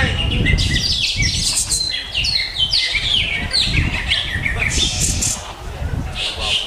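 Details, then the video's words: Greater green leafbird singing in the Jet Li style: a continuous, varied stream of sliding whistles, chattering trills and buzzy notes, with steady low rumbling noise underneath. "Lagu Mewah Cucak Hijau JET LI"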